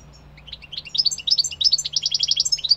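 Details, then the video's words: Goldfinch song beginning after a short quiet pause, a rapid tinkling stream of high chirps ending in an evenly repeated buzzy note series and a final sharp twitter, over a faint steady low hum. "Goldfinch singing -Stieglitz song- Carduelis - Jilguero - Щегол - Kадънка - طائر الحسون"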